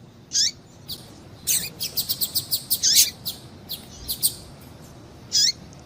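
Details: Female double-collared seedeater calling to stir a male: a few high down-slurred notes, then a quick run of about ten sharp high chips in the middle, with scattered softer chips after, over faint background hiss.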